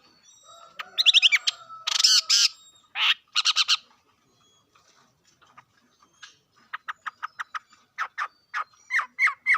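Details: Harsh bird calls and rasping bursts are followed after a pause by a series of short, evenly spaced chirps that quicken and grow louder toward the end.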